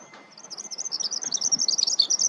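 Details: Foraging Eurasian skylark on ploughed ground delivers a very high, rapid string of chirped and rippling notes that grows louder and quickens toward the end, with little other sound.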